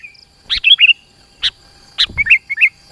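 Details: {'text': 'Sooty-headed bulbul song used as a lure to draw rivals closer: short bursts of bright warbled whistles between sharp clicking sounds, with a faint steady high hum behind.'}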